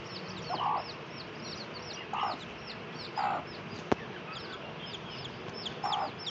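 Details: A mother hen clucks in short low bursts a few seconds apart while her chicks keep up a busy chorus of high, downslurred peeps, with one sharp click midway.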